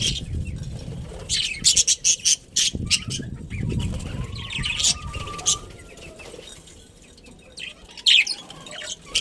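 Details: In a breeding budgerigar colony, short clusters of sharp high chirps come in bursts, separated by quieter spells with a faint soft tone and some low rumble.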